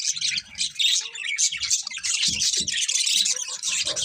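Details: Birds chirping in the morning, a dense continuous chorus of high, bright twitters and trills that fills the whole stretch, with faint low knocks underneath.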